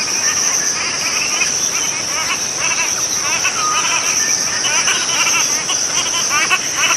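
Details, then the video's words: Series of fast, yapping chatter notes from the cotton pygmy-goose recur every second or so beneath a loud, continuous high-pitched insect drone. "棉鴨/Cotton Pygmy-goose(Nettapus coromandelianus) Call"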